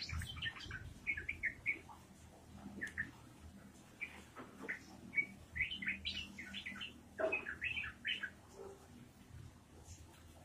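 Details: Yellow-vented bulbul singing in energetic 'gacor' form, a 'ropelan' style run of fluty, bubbling phrases broken by brief gaps, moderately distant, over steady low-pitched background noise.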